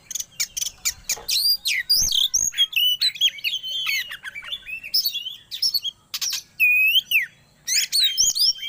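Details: Magpie-robin singing a varied lure song meant to hasten breeding condition, built from loud clipped chips, downslurred whistles and scratchy trills in quick bursts with brief pauses between phrases.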